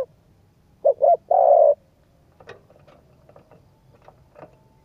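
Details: Spotted dove cooing to stimulate and train a decoy bird: one low, hoarse phrase of two short notes and a long, even drawn-out coo, then faint clicks and soft rustling.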